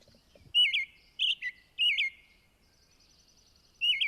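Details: Excited male American Robin giving his dawn song, heard in a talk on New York City birds: clear, slurred whistled phrases rising and falling, four in about three and a half seconds, the last cut off, with faint thin notes between.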